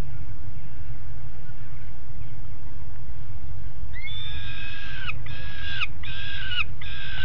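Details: Two young peregrine falcons on the grate at Alphen aan de Rijn, 17 June 2016, early afternoon: quiet rumble, then from four seconds a run of repeated harmonic wails, each ending in a downward slur.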